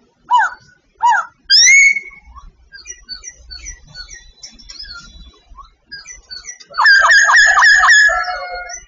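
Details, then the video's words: A Sooty babbler from Vietnam sings loud, slurred whistles, then a run of thin high chirps, ending in a rich rolling burst of warbled notes. "Singing Sooty babbler"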